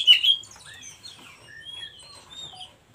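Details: Wild oriental magpie-robin used for song tutoring: a loud sharp opening note, followed by fainter thin whistles and drawn-out high tones fading away.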